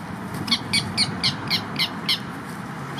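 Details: A purple gallinule at Lake Hollingsworth, Lakeland, Florida, during nest building, gives a quick series of about eight sharp clucking notes, roughly four a second, while asserting territorial pecking order within its group, over a low background rumble.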